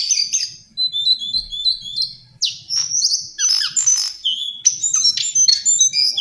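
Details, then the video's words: Lesser shortwing (Brachypteryx leucophrys), a hill and mountain forest species, singing a fast, dense, high-pitched jumble of chattering notes, whistled slurs and rasping bursts in several phrases with brief pauses between them. "Master Pancingan Burung cingcoang/jongkangan coklat"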